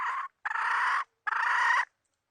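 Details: Decoy hen from the 2020 season, used to lure birds for trapping: three harsh, noisy squawking calls, the first short, the next two longer and steady, separated by brief silences.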